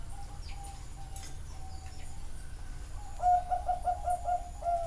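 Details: Zebra doves at a bird farm in Chana, Thailand: soft, distant cooing at first, then a close, quick burst of about seven clipped coos in rhythmic succession, ending on a longer note.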